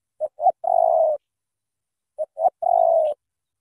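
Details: Strong-voiced spotted dove, Cà Mau, Vietnam: two phrases each made of two short rising notes and then a drawn-out steady coo, repeated after roughly two seconds, with no other sounds.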